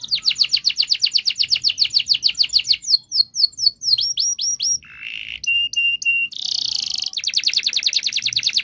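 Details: Canary singing to prompt mute canaries into song: long fast sequence of high chirps turning into swooping whistles, a low buzzy phrase, piping notes, then renewed rapid trills.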